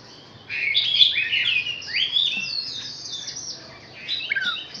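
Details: Quiet rambling warble from a six-month-old Chinese hwamei: blurred whistles and slurred notes rising and falling at moderate volume.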